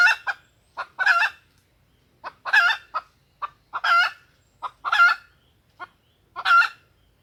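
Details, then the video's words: Junglefowl hen calling to draw males in: a steady series of short clucks and raucous, harmonic squawks, about one squawk every second or so across seven seconds. "suara pikat ayam hutan betina"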